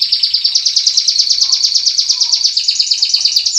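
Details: White-rumped shama from a training recording of a champion bird and a young spotted-plumage bird: a fast, steady high trill of sharp repeated notes, roughly three per second pulses, continuing without a break for the whole stretch.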